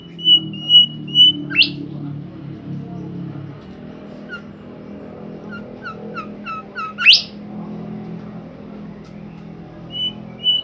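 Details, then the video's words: Bimoli bird in full song: three high level whistles and an upward sweep, a quiet pause, a quick series of short chirps, another rising sweep, then two more whistles, over a low background hum. "burung Bimoli gacor"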